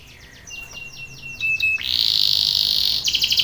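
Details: Belgian canary performing a contest training song: a row of falling slurred notes over a steady whistled tone, followed by a loud sustained buzzy roll and quick pulsed notes.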